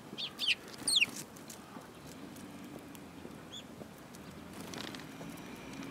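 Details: Sparrows, including one with a yellow beak, recorded on 25 February 2018: two sharp, high chirps that drop steeply in pitch come in quick succession near the start, followed by faint quiet background.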